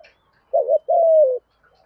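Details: Spotted dove with a deep voice in the thúc gù style, said to suit luring wild doves: a wavering two-lobed short coo followed by a long, smooth note easing downward.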